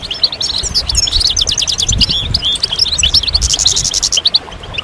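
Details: Several European goldfinches singing together, a stimulation chorus meant to bring moulting goldfinches back into song: rapid high chattering twitters and bright chirps, thickening into a dense burst near the end, with faint low rumbling underneath.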